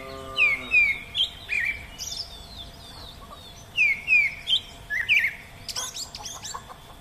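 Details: Oriental magpie-robin in the wild, giving bright downward-slurred whistles in quick pairs, then varied short chirps and a sharp rising note, separated by brief pauses over constant background hiss.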